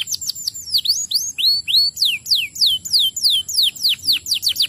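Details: Canary song meant to stimulate other canaries to sing: a fast series of high, sweeping downslurred whistles repeated about three times a second, rising and falling in pitch between phrases, with a steady high thin tone behind.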